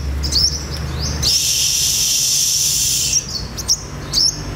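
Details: A sunbird, caught around noon and about two months old, gives sharp, high, thin chirps in short bursts about every half second, broken by a two-second rushing hiss, over a low background hum.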